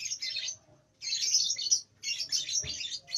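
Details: Young lovebird about two months old practising its ngekek song in nyeklek style, still short: three dense, scratchy high chattering bursts separated by brief pauses.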